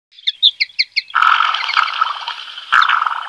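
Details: Black-bellied sandgrouse pair on wasteland near Villarrubia de los Ojos, La Mancha plain, Spain, in early July: five quick, clipped chirps, then a dense, bubbling burst of churring, rolling notes lasting about two seconds, with a brief rattle near the end.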